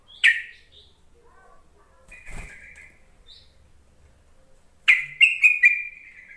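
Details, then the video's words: Lure call of a yellow-vented bulbul aimed at reluctant, newly caught bulbuls: a single sharp chirp, a faint buzz in the middle, then a quick rippling run of notes that stretches into a buzzy trill. "Suara panggilan trucuk untuk memancing trucukan bahan ombyokan malas bunyi"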